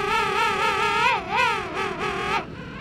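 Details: A male king penguin in the colony at Gold Harbour, South Georgia, gives a loud, trumpeting, wavering call in a run of rising-and-falling syllables with a bugle-like tone; its syllable pattern distinguishes males from females.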